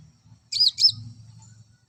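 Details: Olive-backed sunbird song used to bring males into breeding condition: two sharp, high chirps in quick succession, then quiet with a faint low rumble beneath.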